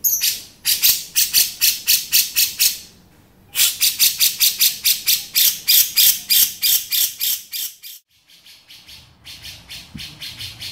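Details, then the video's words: Male grey-cheeked bulbul giving its beset sound: a fast run of harsh, broadband rasping notes, about six per second, in two long bursts separated by a brief pause, then a quieter, scratchier stretch near the end. "Cucak Jenggot Jantan Beset"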